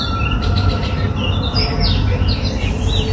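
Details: Polkichcha, the Oriental magpie-robin of Sri Lanka, filmed with a Nikon COOLPIX P1000, gives a busy string of short, high chirps and slurred whistles. A strong low rumble runs steadily underneath.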